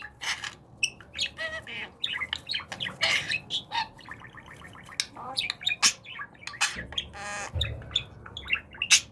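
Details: Pet budgerigar during talking training, excited at the sight of feet. It chatters continuously in a jumble of squeaks, clicks and short warbled notes with quick bursts and brief pauses, and no clear words stand out.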